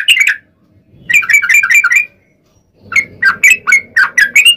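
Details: Lively chattering yellow-vented bulbul song in 'ropel' style, used as a lure to set other bulbuls singing: three short bursts of rapid liquid notes divided by pauses of about a second, over a faint low rumble.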